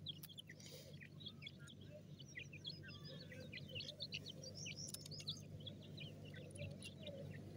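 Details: A flock of francolin chicks feeding in a forest keeps up a busy chorus of short, high, slurred chirps, overlapping and irregular, with occasional clicks and a strong steady low hum underneath.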